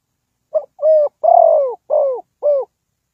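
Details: Spotted dove from Ninh Thuận, a decoy bird used to lure wild birds into a trap, gives five low hollow coos in about two seconds; the middle note is longest and gently falling. The background is clean and quiet.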